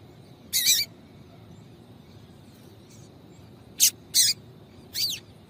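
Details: Female Yellow-bellied seedeater (coleiro baiano) calling to stimulate and rouse the male; four short, sharp, high-pitched chirps, one early and three bunched together near the end, over quiet background hiss.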